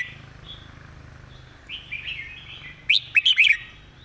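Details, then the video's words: A red-whiskered bulbul sings a clear, well-articulated song: a short run of liquid, warbled phrases, then several loud, bright whistled notes in quick succession over a faint low hum. "สำนวนดี ร้องชัดคำ เพลงแม่บท"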